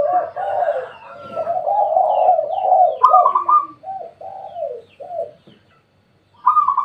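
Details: At midday near a house, a spotted dove gives husky, arching coos in a steady string, a higher coo breaking in midway, then gaps between the last notes before one final coo after a silence.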